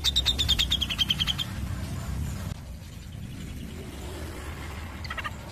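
A Grey-cheeked Bulbul gives a quick, tightly packed run of high, sharp 'pik' notes sliding slightly downward, then a short burst later, over a steady low rumble.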